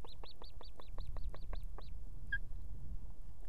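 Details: Female osprey at a nest in Estonia with two chicks, calling the male to bring food; he soon arrives with fish. A series of about ten high, downslurred whistled notes in quick succession, then a short chirp, over low rumbling background.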